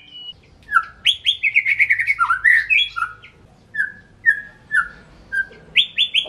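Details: White-rumped shama delivering rich whistled song, a rapid jumble of sliding notes followed by evenly spaced, falling single whistles and a final upward flourish.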